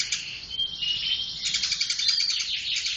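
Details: Eurasian tree sparrow, tame and very vocal, giving an unbroken stream of high chattering chirps with rapid pulsed notes and a few thin whistled tones throughout.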